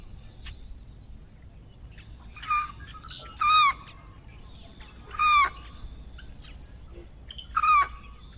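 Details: American white ibis giving a series of four harsh, nasal, slightly falling calls spaced one to two seconds apart, with faint chirps of other birds between them.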